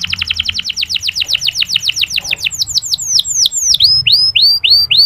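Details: Canary in soft ngeriwik song, a lure for unmotivated male canaries: a fast run of descending chirps, then slower looping notes and clear upswept whistles, over a faint low hum.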